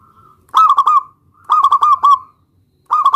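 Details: Zebra dove of local type calling a rival to make it respond: three rolling, stuttered coo phrases in quick succession, each several bubbling notes run together into a smooth ending.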